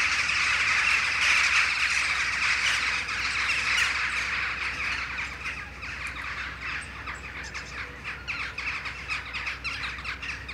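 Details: Gathering flock of Western jackdaws on a morning flight after returning from roosting trees; loud, dense chattering of harsh notes about four per second, easing slightly in volume after a few seconds.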